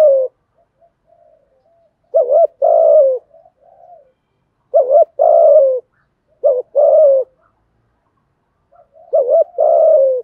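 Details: Cooing of male and female spotted doves in a continuous 'thúc gù' sequence for training newly caught birds. Four deep two-part phrases, a quick wavering note leading into a sustained falling coo. Faint soft murmurs lie between them.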